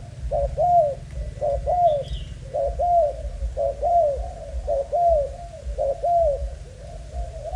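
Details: Young breeding spotted dove of Malaysian strain cooing steadily, each phrase a short lead-in note and a longer arched, mellow coo, repeated roughly every second, against a low droning background and one faint high squeak.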